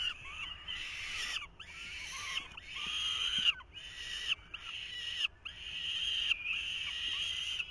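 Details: Begging falcon chicks at a 2023 nest, the male trying to feed them: a series of harsh, wheezy screeches about a second long, separated by short silent gaps.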